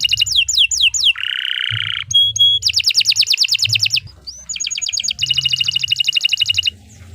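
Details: Canary in long gacor song for use as a master recording: falling whistled slurs, a harsh buzzy note, a clear whistle, then rapid rolling trills broken by a short rising whistle, with a low background hum.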